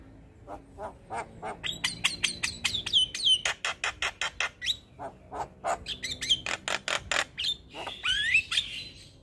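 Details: Black-winged starling, a white-eyed champion songbird, singing a full-fill training song: fast, evenly spaced dry clicks and harsh notes run in long strings, broken by clear rising and falling whistles.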